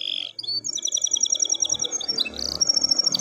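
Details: Canary song used as tutoring for canaries that are reluctant to sing. It is a rapid, high, rolling series of repeated whistled trills and buzzy notes that shift pitch, over a low background rumble.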